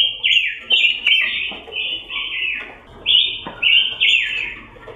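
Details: Pancawarna (red-billed leiothrix) of Indonesia delivering a fluent, bright warbling song in several quick phrases separated by brief pauses, over faint low hum.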